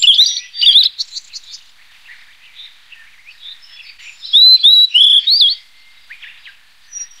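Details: Blue-and-white flycatcher (Cyanoptila cyanomelana) singing clear, sweet whistled phrases, high and slurred, in two bursts with a quiet gap of soft twittering between.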